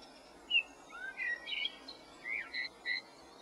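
A bullfinch gives a string of short, soft whistled notes, some sliding up or down, about seven in three seconds, over a faint steady hiss.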